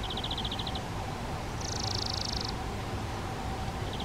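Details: Spotted flycatcher family at a garden-shed nest box, parents delivering flying insects to nestlings; a quick run of high ticking notes, then a brief hissing, buzzy burst, then ticks again, over constant low hum.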